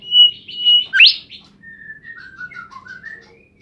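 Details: Bimoli bird singing vigorously: three loud, level whistles, a sharp rising sweep, then a soft rambling run of varied slurred whistled notes.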